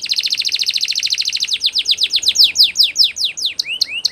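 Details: Canary singing a training song: a very rapid trill of descending notes slowing into wider-spaced loud chips, then a few upward-curving whistles, with faint background hiss.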